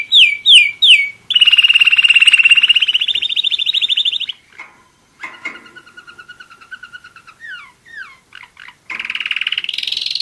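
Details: A one-year-old German Roller-split canary sings loud down-slurred whistles, then a long rapid trill rising steadily in pitch, quieter rolling phrases, short sweeps, and a final fast trill climbing upward.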